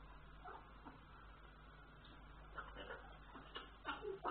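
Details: African grey parrot during breeding behaviour, giving soft whining, whimper-like calls in short uneven bursts that grow louder toward the end, over a steady low indoor hum.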